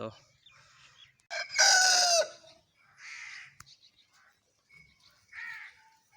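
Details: Aseel rooster, a Pakistani fighting-breed cock, gives one loud raspy crow of about a second, rich in harmonics, followed by shorter hoarse bursts and clucking sounds with brief quiet gaps between.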